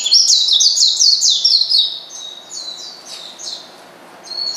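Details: Calling to goad a rival, an Oriental white-eye delivers a fast, loud series of high chirps for nearly two seconds, followed by sparse thin whistled notes.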